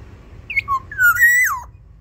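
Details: Black-naped oriole kept in a small aviary sings a clear, fluty phrase: a high whistled note, a lower slurred note, then a rich rolling whistle that climbs and drops steeply at the end. A faint low hum sits underneath.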